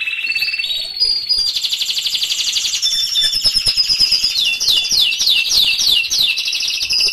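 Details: Canary pouring out an unbroken high trill to spur stalled canaries into song. It starts with a steady whistle, then shifts into dense rapid rolls with repeated rising and falling sweeps.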